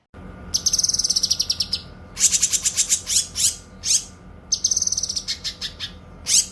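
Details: Actively singing cililin and cucak kinoy on a training recording. Fast high trills alternate with strings of sharp downswept and upswept notes, repeated in two phrases, with a constant background hum.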